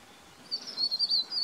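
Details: White-throated laughingthrush at Chopta, Uttarakhand, India, in May gives a quick run of thin, very high chirps, about six notes in one second, over a faint outdoor hiss.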